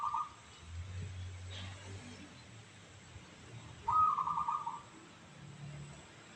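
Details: Local zebra dove (perkutut lokal), its voice called crystal, gives one rippling trilled coo near the four-second mark after a clipped phrase at the start, over a steady low hum and scattered rumbles.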